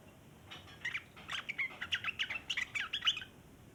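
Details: Sooty-headed bulbul chattering at length, a song used as a lure for other bulbuls; an accelerating string of short sharp chirps and twitters building steadily, then stopping abruptly.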